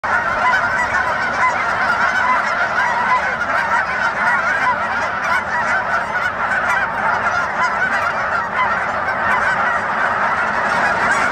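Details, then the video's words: Geese taking off, a dense chorus of many overlapping honks forming a continuous nasal din throughout, with no pauses and steady loudness, likely mixed with wingbeats and splashing. "Geese Take Off In 4K"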